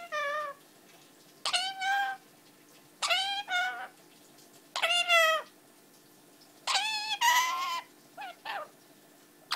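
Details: An 11-month-old pet Indian ringneck parakeet, kept indoors, imitates human speech. Drawn-out, voice-like syllables with rich harmonics come in bursts about every one to two seconds, with a few shorter notes near the end.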